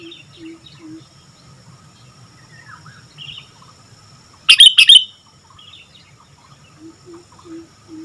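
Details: Single loud bubbly phrase of quick chirping whistles from an actively singing sooty-headed bulbul. Faint soft hooting notes and distant chirps of other birds are heard before and after.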